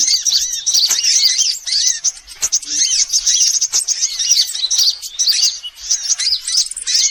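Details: Lure sound for attracting sunbirds: a busy mass of thin, very high twitters and chirps, many notes overlapping, with a few brief gaps and a faint low tick now and then.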